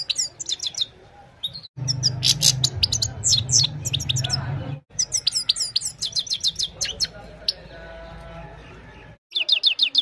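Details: Mobile-phone recording of a Himalayan goldfinch at evening: rapid high chirping bursts and tinkling runs interrupted by several sudden silences, with a low rumbling hum in the first half.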